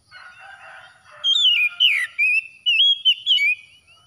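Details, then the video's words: Oriental magpie-robin (kacer) song for calming stressed birds after dawn prayer: faint chattering at first, then loud clear whistles sliding up and down in a string of short bursts. "TERAPI KACER HABIS SUBUH PEMULIH AMPUH KACER SETRES CEPAT GACOR"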